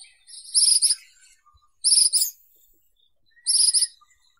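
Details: Ashy minivet giving three clear, high, rattling metallic trills, each under half a second, spaced roughly every one and a half seconds in an otherwise quiet setting.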